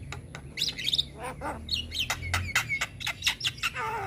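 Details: Juvenile Javan myna (jalak kebo) singing with varied mimicry: squeaky chirps and clicks in rapid succession, short whistled slides, ending in a descending harsh note, faint low hum behind.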